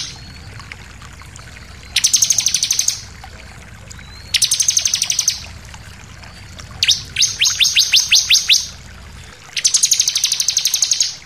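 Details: Bar-winged prinia song used to provoke other birds to sing: four bursts of high, rapid buzzy trills spaced about two seconds apart, one replaced by a series of sharp descending notes.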